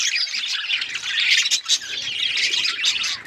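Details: Continuous chattering of pet budgies: a thick blend of high twitters, rasping notes and short squawks, with no clear pauses.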